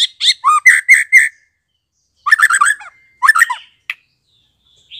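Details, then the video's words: Newly fledged white-rumped shama, sound used to stimulate young shamas to learn to sing: a quick string of harsh, chattering notes, then silence, then two more short scratchy bursts and a lone thin whistle. "BARU LEPAS TROTOL cocok buat merangsang MURAI BATU Trotolan belajar Bunyi"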